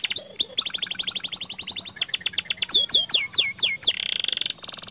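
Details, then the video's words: Continuous rolling song from a Panda canary, with long bursts: a long high trill, a thin rapid rattle, then a string of loud downslurred whistles, closing with a dense buzzy roll and a high note. "Suara Kicau Kenari PANDA Gacor Ngerol Nembak Panjang"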